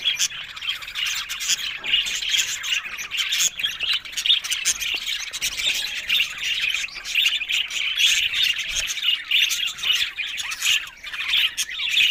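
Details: Group of budgerigars in lively, nonstop warbling chatter, mixing squawks, clicks and rapid high tweets into a dense, continuous sound.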